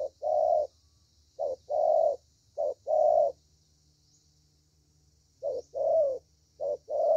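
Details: Young spotted dove with a good 'thổ' voice style, from Vietnam. It gives low cooing phrases, each a short note followed by a longer drawn-out coo. The phrases come in groups separated by a pause of about two seconds, over a faint low hum.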